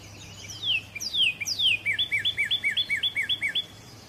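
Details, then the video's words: Northern cardinal: three loud, long whistles slurring steeply downward, followed by a quick series of about ten short, bright chip-like notes repeated at an even pace, with a faint low hum underneath. "Northern Cardinal Calling or Voice"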